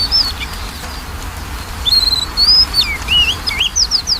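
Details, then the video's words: Magpie-robin song used as a lure to coax a lazy, quiet bird into singing: scattered clear whistled notes, slurred upsweeps and downslurs, bursts of varied phrases in the second half over steady low background hum. "PANCINGAN KACER MALES BUNYI"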